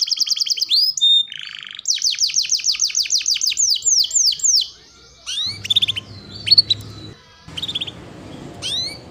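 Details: Singing canary on a training recording for young birds: fast high trills and a buzzy roll, then a string of descending sweeps, followed by scattered sharp chirps over a low background hum.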